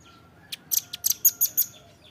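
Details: Velvet-fronted nuthatch (rambatan paruh merah) in a training recording for captive birds: a short, irregular burst of about eight thin, high, sharp chips, some doubled, over a faint steady hum.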